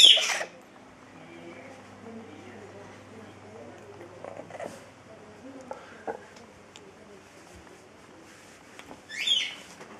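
A Chestnut-fronted macaw gives two harsh, grating squawks, one at the start and another near the end, with quiet stretches, faint clicks and soft background noise between them.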